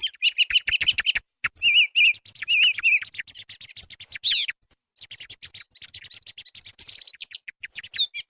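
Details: Song thrush song for hunting use. A lower fluting motif repeats three or four times early on, then rapid high chips, a sweeping rising and falling flourish, and dense scratchy trills follow, with almost no pauses.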